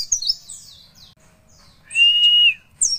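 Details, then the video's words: Short bit of Javan white-eye song in the nembak witwit style: quick falling high chirps, a brief pause, then one long level whistle held for about half a second before further sharp chirps. "pleci nembak witwit"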